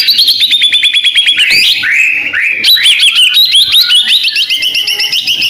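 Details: White-rumped shama from Medan, a kept bird in full vigorous song and ready for a singing contest, delivering a rapid, rich run of high whistles, trills and sharp chirps with sliding phrases that rise and fall without pause.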